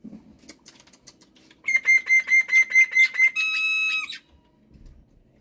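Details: Black-winged myna, a pet bird singing in the morning: soft clicks, then about seven loud, evenly spaced whistled notes followed by a long, rich, sustained whistle.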